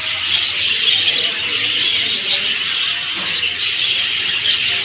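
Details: Continuous bright chirping from numerous birds, a dense high chatter with occasional clearer tweets breaking through.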